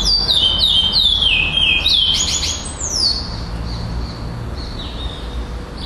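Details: Competition song of a black Chestnut-bellied seed finch placed second at a Florianópolis tournament, December 2011: a run of clear whistled notes sliding downward, then a buzzier burst and fading high phrases, with faint low rumble behind.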